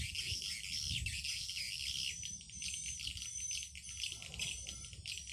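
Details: Swiftlet calling sound used in swiftlet farming, played through an amplifier at a set volume: a dense chorus of sharp, high chirps and twitters with a steady low hum underneath.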